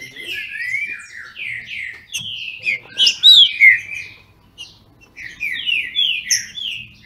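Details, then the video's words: Trinca-ferro, the green-winged saltator, kept by a Brazilian breeder, in a singing contest. Clear whistled notes sweep up and down in rapid sequences, loudest around the middle, with a faint low hum behind. "Trinca ferro disputando!!!"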